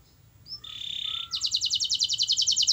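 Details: Canary song meant to prompt a silent canary to sing: a short rising whistle and a flat sustained tone, followed by a quick, bright rattling trill of evenly spaced high notes.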